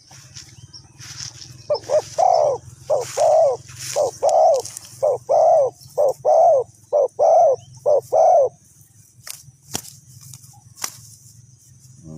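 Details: Spotted dove from decoy bird trapping in Ninh Thuận: a long steady series of about twelve doubled, soft coos roughly twice per second, ending in quiet with occasional clicks and a low hum.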